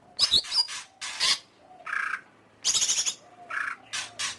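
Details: Harsh scratchy notes from a greater green leafbird, mixed with buzzy rattling phrases and brief high whistles, in uneven bursts.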